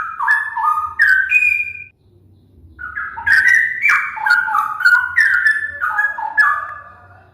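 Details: Straw-headed bulbul singing: loud, rich whistled phrases tumbling between lower and higher notes in quick bubbling runs, a short pause, then a longer warbled sequence with faint low background hum.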